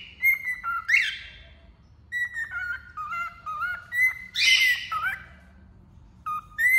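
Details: Cockatiel perched on a finger, singing a whistled song: flat whistles near the same pitch broken by quick downward slurs and two brighter rising notes, in phrases separated by short pauses.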